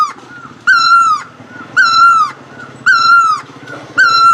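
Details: Great Asian barbet song: four ringing, nasal notes, each about half a second long with a slight fall at the end, repeated steadily about once a second against a quiet rumbling background.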